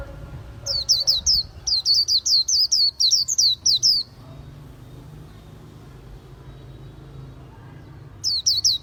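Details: Bird singing rapid bursts of high, downward-slurred whistled notes, several quick strings that stop, leaving a pause with only low background noise, before the notes resume at the end.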